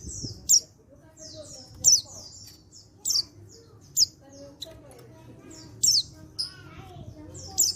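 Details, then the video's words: Male white-eye from Pacitan, a raw untrained bird, calling to provoke others into answering: sharp high down-slurred chips about every second, interleaved with short falling buzzy whistles, faint low hum behind. "Panggilan Burung Pleci Jantan Bahan Pacitan Ini Bisa Bikin Yang Lain Ikut Nyaut"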